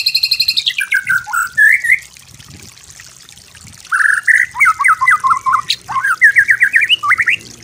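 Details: White-rumped shama master song for imitation: a rapid stuttering trill opens, then whistled slurs and a pause, followed by clusters of quick looping whistled notes and rising chirps.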